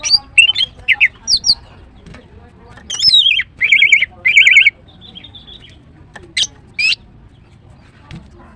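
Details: Female green cucak, the greater green leafbird, singing well in the morning: quick squeaky notes, then two long buzzy trilled phrases and a few isolated high whistles.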